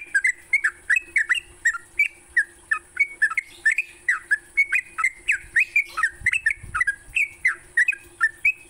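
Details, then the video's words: Morning song from a sooty-headed bulbul, used to make captive bulbuls sing all day: a long, lively series of clear, bouncing whistled notes, roughly three per second, each briefly rising and falling, with a soft background hiss. "Pancingan TRUCUK PAGI hari, bikin trucukanmu gacor sepanjang hari."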